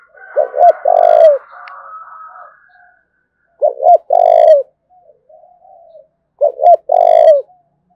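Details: Thúc bổi cooing of a spotted dove from Dong Nai, Vietnam: three phrases of two clipped hoots and a long mellow coo, separated by quiet low murmuring and faint higher background chatter.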